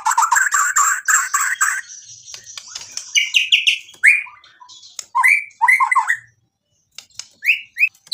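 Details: White-rumped shama in full song, packed with imitated 'isian' phrases and used to provoke a rival to answer. It opens with a harsh rattling buzz for about two seconds, then short whistled notes with upward flicks and a brief silence.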